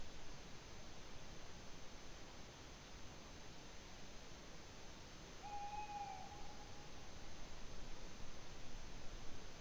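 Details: Single tawny owl hoot recorded in Latvia, 8 May 2017, a level, pure low note near the middle of the recording trailing into a soft, long quavering tail against constant hiss.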